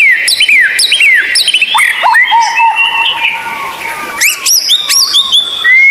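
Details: Rare, strange white-rumped shama tutor song for captive birds that sing little: sharp bouncing whistled phrases, a steady low whistle, a short lull, then bright upward-sweeping notes and ringing high tones.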